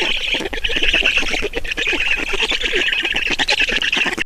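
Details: Estonian Black storks at the nest while being fed, a loud, unbroken stream of hoarse, scratchy squawks in quick irregular beats.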